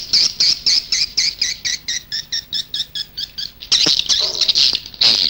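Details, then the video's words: Lure sound of edible-nest swiftlets from Indonesia, meant to attract the birds to a nest house: a steady series of high, squeaky twin-pitched chirps, about two per second, ending in a louder rasping, chattering burst. "âm yến ngoài nhà"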